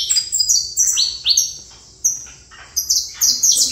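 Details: Saffron finch with a few sharp, high slurred notes, a gap, then a brisk cluster of chirps at the end.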